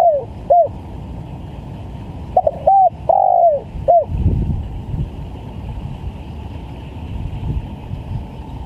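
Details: Spotted dove cooing in a lure recording for bird trapping: a short run of soft, hollow, arched coo notes, several in quick sequence over four seconds, then quiet with steady background hiss and a brief low thump.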